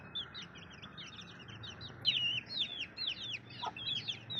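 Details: Baby chicks chirp in a clear, busy chorus. Their high, curling peeps grow louder and more distinct in the second half.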